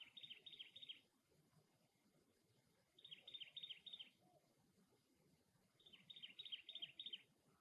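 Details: Cactus wren calling at its nest, giving rapid harsh chattering bursts of about six grating notes each, repeated roughly every three seconds, with a low, steady murmur of background noise throughout.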